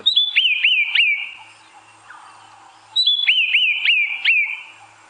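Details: A White-browed Scrub Robin, among the first birds heard before dawn on a 5:30 AM sunrise drive in Djuma Game Reserve on 14 February 2017, gives two bright whistled phrases of looping, rising-and-falling notes about three seconds apart; its first morning song signals dawn.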